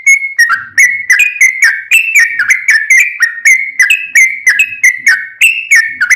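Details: Yellow-vented bulbul in lively full song, a long rapid ropel used as a lure to make other bulbuls sing back: bubbly whistled notes dipping and rising, tumbling in quick succession about three per second, with faint low thumps beneath.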